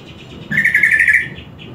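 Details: A greater green leafbird being trained with master audio gives one brief, rapid warbled phrase of bright chirps, about a second long, against a faint indoor hum.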